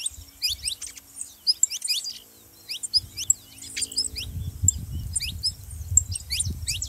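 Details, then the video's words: Saffron finch song used to set canaries singing: clusters of high falling chips and short trills, broken by a pause, over a low rumbling background that grows louder in the second half. "canário da terra pra foguea seu canário frio"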